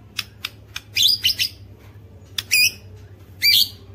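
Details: White-rumped shama, recorded to stir other shamas into song: sharp harsh clicks and short buzzy chattering bursts, separated by pauses, over a low steady hum.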